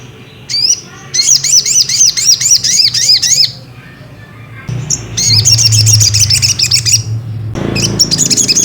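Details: Ruby-cheeked sunbird song used to provoke another bird to sing: fast, high, repeated upslurred chips in a long rattling series, a pause, then another rapid run of thin notes, with low background hum.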